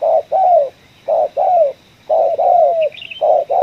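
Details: Coffee-field spotted dove with the sought 'ngeruk', 'kuk 1' voice, repeating paired low coos, a short note and then a longer falling one, about once a second. A faint high chirp is heard near the end.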